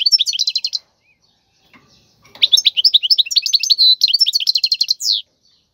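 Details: Tutor song of a wild European goldfinch for training chicks: a short twittering phrase, a pause with faint clicks, then a longer run of high tinkling notes and buzzy trills ending in a slurred note.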